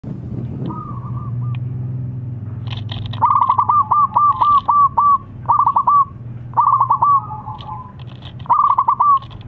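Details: Local zebra dove singing vigorously, used as a lure to prompt silent doves to sing: rapid staccato cooing notes in bursts, a short phrase early, then longer rolling runs of clipped coos, over a steady low hum.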